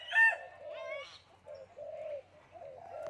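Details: Common hill myna imitating human speech, a shrill opening syllable and a rising buzzy one, then several soft, rounded, hummed vowel sounds in a slow uneven sequence.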